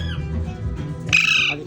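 An Alexandrine parakeet gives one harsh, grating squawk lasting about half a second, with a brief voice-like note at the start and music playing beneath.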